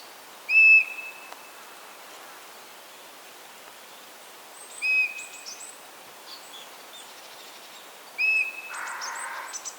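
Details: Common buzzards, male and female, calling during courtship and mating: three short, clear, slightly downslurred whistled mews, each under a second, spaced about four seconds apart, with faint chirps of small birds between them.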